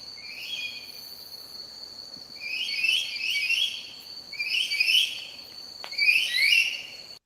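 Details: A purple-bellied lory, recorded in the Managalas Conservation Area, Papua New Guinea, gives harsh, rising screechy calls in short bursts about every one and a half seconds, over a steady high insect drone.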